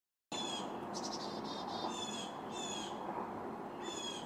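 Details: Black-capped Chickadee nestlings in a birdhouse give high, raspy bursts of begging calls, about six in four seconds, as a parent brings a fat caterpillar to the nest, over a steady rushing hiss.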